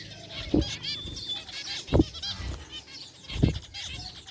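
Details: Zebra finches in an aviary, including a rare white one, give nasal honking beeps while three loud low thuds break in at regular intervals.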